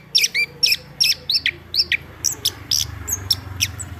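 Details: Chestnut-backed thrush singing short, sharp phrases repeated about every half second: bright high chirps with quick downslurred whistles, over a steady low background hum.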